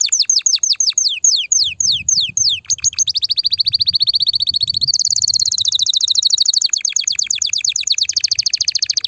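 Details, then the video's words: Loud, excited canary song meant to prepare females for mating and nest building. It opens with a series of quick descending whistled notes, then runs into sustained rapid trills that jump to a higher pitch midway. "تغريد كناري هائج , لتجهيز الاناث على التزاوج , و بناء العش فورا"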